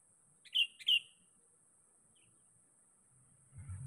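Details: Sooty-headed bulbul, recorded as a lure to attract rivals, gives two quick bright descending chirps, then quiet apart from a steady high whine, and a low rustle at the end.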